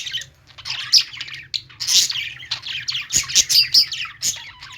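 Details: Pet-store budgies chirping: after a quieter start, bright, high twittering notes and quick squeaky phrases build into a lively run of chirps, with a constant faint hum below.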